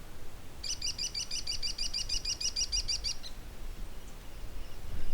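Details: A juvenile American kestrel calling in mid-air as it flies over gives a rapid series of about fifteen shrill, high killy notes over two and a half seconds, above low wind rumble.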